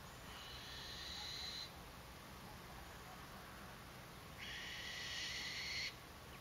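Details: Two young Black-winged Kites (Elanus caeruleus) in Maine-et-Loire, France, giving two harsh, wheezy hissing calls, each about one and a half seconds long and a few seconds apart, over a steady background hiss.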